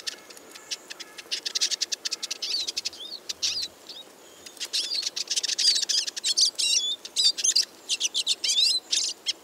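A Eurasian siskin sings a fast, high, twittering stream of chirps and slurred notes, running almost without pause through the whole stretch.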